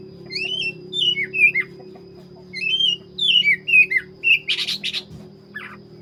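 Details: Oriental magpie-robin of the black-breasted form singing loud, sweet whistled phrases that slide up and down, broken by pauses, then a harsh rasping burst and a final short note.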